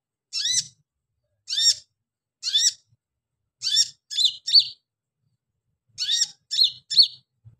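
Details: Calls of a female Pygmy cupwing summoning a male: three evenly spaced rasping chirps, then quicker clusters of two and three buzzy notes ending in shorter downward twangs, on a quiet background.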